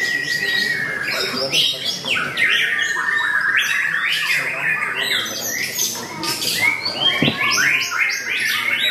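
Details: White-rumped shama (murai batu) competing in a singing contest with a fierce fighting style: a long drawn whistle opens, then fast stuttering chatter and sharp upsweeping notes, dense overlapping birdsong behind.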